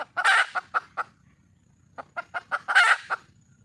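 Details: Red junglefowl hen in the wild, calling out for a male, opens with a loud harsh squawk, trails off into clucks, then after a brief silence clucks build to a second rasping squawk.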